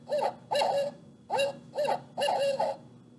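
A Barred Owl gives five rich, slightly hoarse hoots in an uneven rhythm over about three seconds, each note arching up then falling away.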